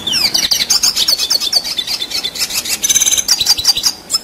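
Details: A red siskin pours out gacor ngerol rolling song: a rapid chain of sharp, high twittering notes and short slurred whistles, with brief buzzy bursts near the end.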